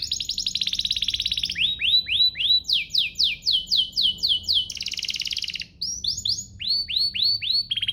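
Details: Canary song used to provoke other canaries into singing, with tours of repeated down-slurred whistles, a rapid buzzy trill, then more falling whistles, each phrase a fast series of identical notes.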